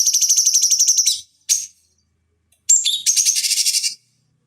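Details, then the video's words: High rapid stuttering trill from a cucak cungkok bulbul, recorded as a training lure for fighting birds, followed by a short burst, silence, then a whistled note leading into another fast rattling phrase. "Masteran Pancingan Cucak Cungkok Ampuh Untuk Terapi Dan Masteran Burung Petarung"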